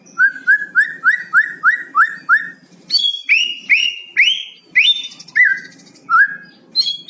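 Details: White-rumped shama with 'cucok cungko' fill-in song, meant to trigger other shamas into song: a fast series of about ten short rising whistles, then louder, slower upswept phrases with high overtones.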